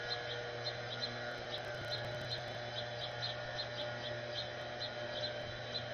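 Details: Young house finches following their parents give excited, thin, high chirps two or three times a second in an eager begging run, over a steady low hum and background noise.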